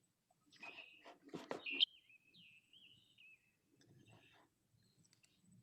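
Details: Scarlet Tanager, a migrant, giving a brief run of hoarse, burry, robin-like phrases, about four quick notes in a second and a half, after a man's voice; hard to separate from American robin, slightly buzzier.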